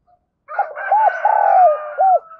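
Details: Decoy spotted dove giving its morning call to stir up wild birds: hollow coos in a run, a long falling middle note and a short closing coo, overlaid by a buzzy higher sound throughout.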